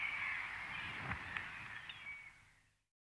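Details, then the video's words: Close-up common redshank at Ythan Estuary, Aberdeenshire, gives high, ringing, piping whistles in a steady run, with distant gulls and other waders calling behind. "Redshank. Calls CU. Gulls And Waders In Distance."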